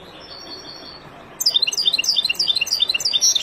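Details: A wild European goldfinch's song for teaching fledglings: a thin, steady whistle-like tone gives way to an energetic stream of rapid, sparkling chirps that continues to the end.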